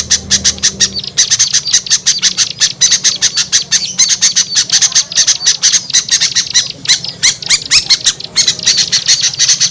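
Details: Calls of small birds used as a trapping lure for birds that will not come down: a long stream of sharp, scratchy, high chirps, closely spaced and relentless, several birds calling at once.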